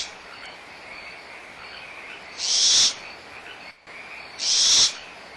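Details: Young barn owls at Starr Ranch Sanctuary in a small quarrel over leftover food, April 2011, with the mother close by; two loud, noisy hissing bursts roughly two seconds apart against a continuous hum of frogs.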